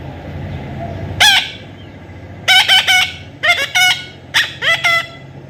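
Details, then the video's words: Baby parrot during taming produces one loud screech, then several pairs of rasping, harmonically rich squawks in short clusters against low steady noise. "natural funny parrot sound"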